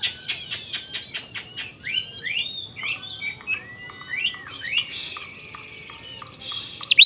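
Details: Oriental magpie-robin singing energetically, a recording used to provoke rival magpie-robins: rapid clicking ticks, then a series of rising slurred whistles and varied chattering notes, ending with sharp high chips.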